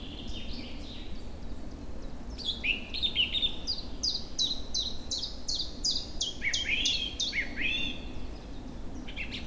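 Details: Early spring bird chorus on a fine April day in forest and meadows beside a river running with meltwater. A rapid series of sharp, downward-sliding whistles rolls on for several seconds, with a twittering phrase midway, over a steady low water roar.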